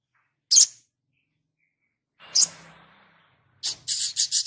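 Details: Sogon (crested jay) in active song: a single sharp high note, then a second note over a faint low murmur, then a quick series of rasping pulses that starts a rattle.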